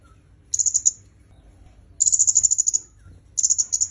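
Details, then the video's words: Three bursts of high, rapidly repeated thin notes from a red-headed myzomela, a recording meant for training songbirds, with quiet pauses between the bursts. "Suara Kemade Kepala Merah"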